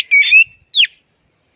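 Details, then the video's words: Orange-headed thrush in teler style: one quick phrase of a slurred whistle, then a sharp falling note and a final high thin whistle, all within about one second, followed by silence. "MASTERAN TELER ANIS MERAH PLONG DAN TELER"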